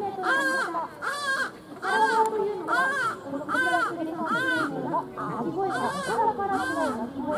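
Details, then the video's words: A captive striated caracara running around during a bird show at Kakegawa Garden, Japan, gives about ten harsh, rasping, wavering cries in quick succession, each under half a second, with faint crowd murmur behind. "フォークランドカラカラ 鳴きながら走り回ります"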